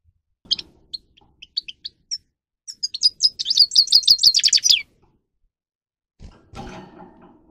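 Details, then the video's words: Grey-crowned goldfinch singing for training purposes: sparse high chips give way to a fast, rhythmic run of repeated twittering notes, followed by a clunking handling noise near the end. "(Carduelis caniceps) Goldfinch song"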